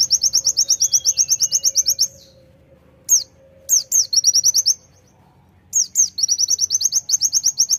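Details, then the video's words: Sunda white-eye (konin) singing hard in the tembakan style: long, fast trains of piercing high chirps broken by short silences, each burst restarting at full volume. "Konin gacor tembakan pleci"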